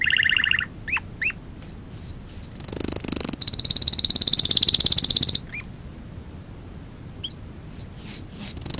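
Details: Canary song from a training lesson for young canaries: scattered quick upslurred chips and short whistles around a dense high buzzy roll lasting about two seconds, with gaps of near silence.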